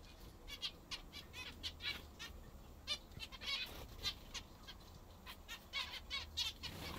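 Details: While a group of pet zebra finches eats their favourite food, short honking beeps sound singly and in pairs, spaced irregularly across the clip, over faint low-pitched hum.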